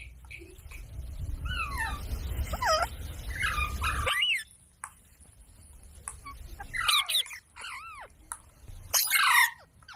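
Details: Speech-mimicking parrot heard over a rushing background at first; after a quieter gap come clearer bouncing, arched syllables and a final rough, voice-like burst.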